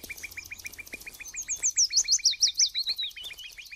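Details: Common nightingale singing in the background in the Amsterdam Waterleidingduinen dunes, early morning on King's Day, misty damp quiet weather: a fast run of sharp, clipped notes, about eight a second, overlaid by a rippling phrase of slurred whistles.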